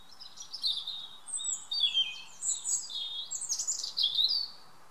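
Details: European robin evening song in a garden: thin, high, liquid warbles, quick trills and slurred whistles in short bursts roughly every second, against a quiet background.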